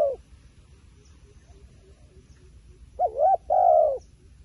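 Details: A faint coo, then a quiet spell with soft distant ticks, then a wild pigeon gives a wavering double coo and a longer level hoot.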